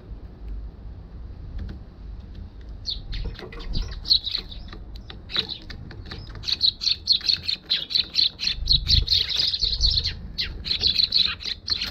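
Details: Eurasian tree sparrows arriving at a balcony on 1 December 2021, captured with a GoPro HERO6; after quiet low rumble, sharp high chirps start and build into rapid, irregular chattering, roughly two per second, growing busier toward the end.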